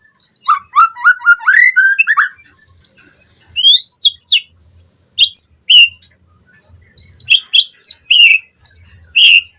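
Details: White-rumped shama song used as a lure for captive birds: quick rising whistles at first, then spaced single upslurred notes and sharp high chips, with faint low background hum.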